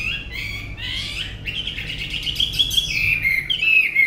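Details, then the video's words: Fluid warbling from a tame Chinese hwamei: dense, rapid whistled trills sliding between higher and lower notes, building in loudness over the final second. "họa mi ccdv1121 thuần đẹp giọng hay quá"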